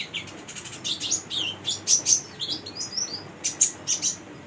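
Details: Lively high twittering from a female brown-throated sunbird in 'gacor' voice, used to train young birds, with quick chips, slurred squeaks and sharp bright notes in an uneven stream.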